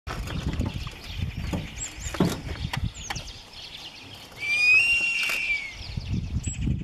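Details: A crested serpent eagle calls very early in the morning, turning its head: one loud, drawn-out, ringing whistle lasting over a second, with faint thin whistles from other birds and low thumps and rustling underneath.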